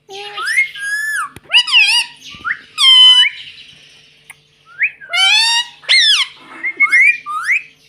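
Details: A pet ring-necked parakeet that imitates 'mummy' chatters indoors with varied shrill whistles, harsh rasping squawks and short rising squeaks, changing note shape rapidly.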